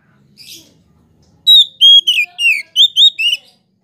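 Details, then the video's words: Kacer, or Oriental magpie-robin, song meant to make other kacers answer excitedly: faint low murmurs at first, then a burst of seven strong whistled notes, alternately falling and rising, spaced about a third of a second apart. "KACER POCI ANDA PASTI LANGSUNG EMOSI JIKA DENGAR SUARA KACER INI"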